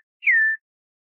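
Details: Campo troupial (Icterus jamacaii), song.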